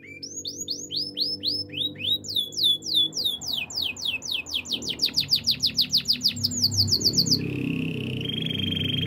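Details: Canary song for training: a lively chain of sweeping whistled notes, varied tours of rapid downward slurs quickening into dense repeated chirps, then a lower steady rolling trill, with some low background rumble.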